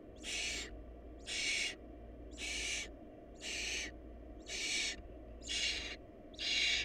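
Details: Barn owl chicks in a family lacking food, sounding seven coarse hissing screeches in a regular series about one per second, each rough and breathy, with a quiet low hum underneath.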